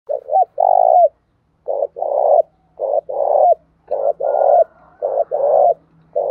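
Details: Spotted dove cooing, recorded to stir a decoy bird into cooing quickly: bursts of low, mellow cooing notes, grouped in short phrases of a brief note followed by a longer rolling coo, repeated about once a second with short pauses between.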